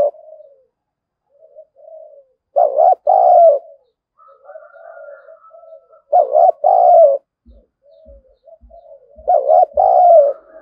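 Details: Spotted dove kept as a lure bird to goad wild birds into fighting; loud paired low coos repeat roughly every three to four seconds, separated by soft murmured notes, with light tapping clicks near the end.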